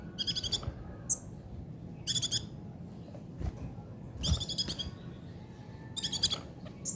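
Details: Brown-throated sunbird (kolibri ninja) in trotol style for tutoring songbirds: rapid stuttering high trills in bursts of about half a second, repeated roughly every two seconds, over a low background hum.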